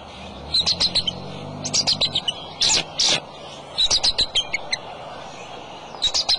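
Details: Adult male bald eagle calling at the nest with eggs on March 23 at 2:26 pm, with wing flaps: bursts of thin, high chirping and piping notes in short chattering runs separated by brief pauses, over faint background rumble.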